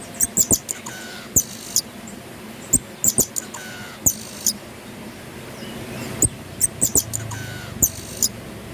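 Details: Captive pin-tailed parrotfinches singing, bathing and eating: very high, thin, tinkling chirps in short irregular bursts, with soft clicks, taps and rustling from the birds moving about.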